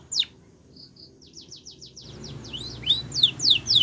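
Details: Spanish Timbrado canary song for training young birds: a single high downslur, two soft pure notes, then a quickening run of short whistles building into louder swooping slurred notes.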